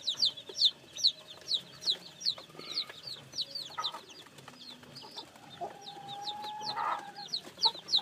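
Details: Newly hatched chicks peeping in a brisk series of high, downward-sliding cheeps, pausing briefly midway, with a faint steady tone and soft scuffling in the background.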